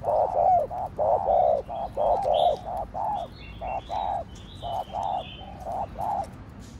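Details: Spotted dove (cu gáy) giving fast stimulating coos in the Thổ Đồng voice style. A steady train of short, low, hollow coo notes, roughly two per second, with light high-pitched chirps of other birds behind.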